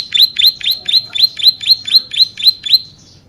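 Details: Bar-winged prinia (ciblek sawah) in full voice for song tutoring and luring: eleven fast, sharp, buzzy high chirps in an even string, then a brief faint note and quiet.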